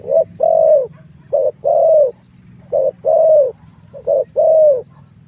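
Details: Spotted dove lure call used to draw wild doves in to fight: low mellow coos in pairs, a short note then a longer drawn-out one, repeated about every 1.3 seconds over a faint steady low hum.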